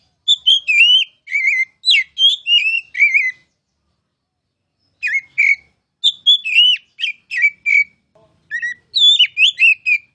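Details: A kacer, or oriental magpie-robin, groomed as a future champion, sings two bursts of rich whistled and warbled phrases separated by a pause of roughly two seconds.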